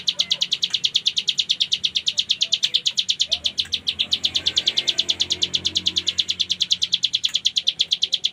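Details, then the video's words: Mountain prinia, or ciblek gunung, in lively 'gacor full ngebren' song: an unbroken, rapid series of high, harsh chipping notes that keeps an even beat throughout. "Cigun Gacor Full Ngebren"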